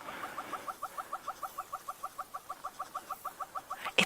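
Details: Hornbills calling from the tips of a knobthorn tree at a natural pan in the Sabi Sands at sunset, possibly a territorial display: a steady run of clucking, two-toned notes, about five per second, even in pitch, ending with a sharp knock.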